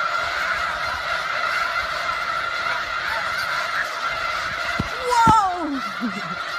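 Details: Snow geese flock during spring migration on Westham Island, Delta, British Columbia, at George Reifel Bird Sanctuary, March 24, 2015: a dense, continuous chorus of nasal honks, with a few louder, sliding calls standing out near the end.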